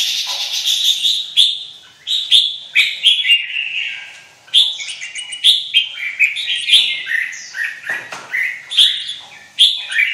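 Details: Caged red-whiskered bulbul, a white-winged bird in high singing form, giving loud, bright phrases of slurred and chattering notes that repeat in bursts about every second, with brief pauses between bursts.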